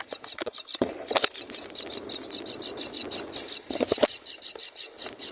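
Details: Four baby mynas begging in the nest as their mother feeds them; a steady run of scratchy, buzzy chirps, growing busier toward the end, with rustling and wing-flutter sounds early on.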